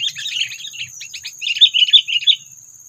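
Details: Trapping lure call of the sooty-headed bulbul, meant to provoke predators; warbling chirps, then a series of short clipped notes, then a louder bubbly run of sharp notes, with a steady high whine throughout.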